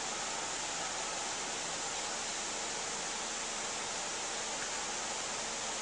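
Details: Even, unbroken hiss like rushing water or white noise fills the whole stretch, with no calls or other sounds.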